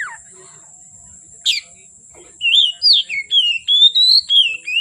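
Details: Oriental magpie-robin in lively song from afternoon until dark: a downslurred note and a sharp burst, then rapid repeated clear whistles, several rising, over a steady thin high tone.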